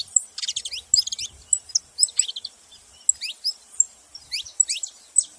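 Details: Saffron finch producing a cluster of rapid high chirps at first, then spaced, falling single notes.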